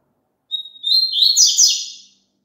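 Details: Double-collared seedeater singing one phrase for a caged bird to copy: a pure whistled note that breaks into a tumbling, buzzy series of quick notes, about a second and a half long, in clean silence.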